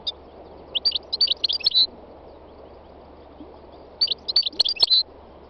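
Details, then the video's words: A three-year-old North African goldfinch sings two short, twittering phrases of bright, clipped notes about two seconds apart, during a spring day in the north-west mountains of Tunisia. "My wild goldfinch singing تغريد مقنين خلوي"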